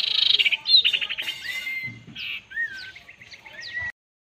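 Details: Common iora, called fierce, answering a decoy bird: a fast trill of repeated high notes, then level whistles and slurred chirps, ending abruptly.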